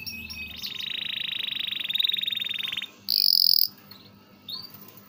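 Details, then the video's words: Canary song for training silent or stalled canaries: a long, rapid, even buzzing trill for about two seconds, then a loud, sustained high whistle and a short, faint note. "masteran burung kenari rajin bunyi cocok buat pancingan kenari susah bunyi/macet"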